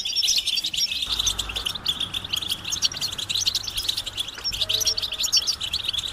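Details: European goldfinches in a group chorus of twittering mating and readiness calls meant to stimulate males to sing: dense, rapid, high chirps and trills overlapping continuously, with a faint low hum beneath.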